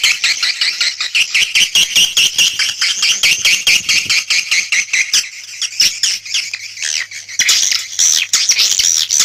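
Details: Lure recording of swiftlets calling: a rapid, ticking twitter chorus of high buzzy chirps, thinning briefly midway before resuming as shrill overlapping chatter.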